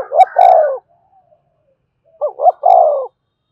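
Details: Spotted dove, a decoy bird, cooing to rouse and train a newly caught caged male; two full phrases, each two quick rising-falling notes then a longer, drawn-out descending coo, separated by about a second and a half of near silence.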